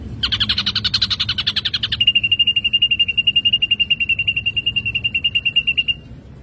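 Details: Ashy drongo in energetic song for use as a lure: a rough, chattering buzzy phrase lasting about two seconds, followed by a long, even trill of clear high pips that stops abruptly.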